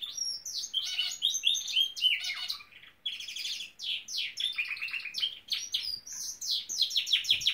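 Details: Norwich canary in full song, a dense, unbroken stream of high twittering trills and rapid sweeping notes, pausing only briefly near the middle.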